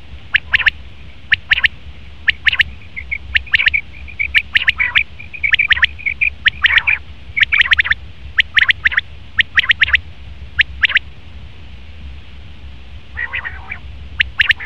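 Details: Male common quail repeating its sharp triple-note phrase many times, with high thin tonal notes woven between phrases and a hoarse, lower nasal sound near the end.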